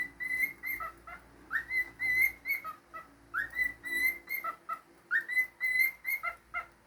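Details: Pet cockatiel performing a repeated whistled melody, three similar phrases each starting with a rising slur, followed by held clear tones and quick lower notes, all in a quiet indoor setting.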